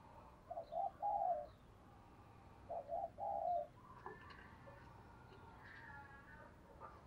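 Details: Decoy spotted dove, trained to draw in wild doves, repeats soft mid-pitched coo phrases twice over background hiss, followed by other faint higher calls and noises.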